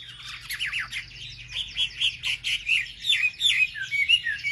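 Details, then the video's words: Hill prinia song used for provoking other birds: a chain of buzzy, slurred notes roughly twice a second, rough-edged and building in loudness, with a low background hum. "pancingan suara wambi paling ampuh untuk memencing emosi burung wambi"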